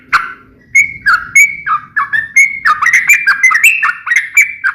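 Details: Sooty-headed bulbul (trucukan) song, lively and varied: a chain of clear whistled notes alternately rising and dropping, quickening into a fast bubbly sequence.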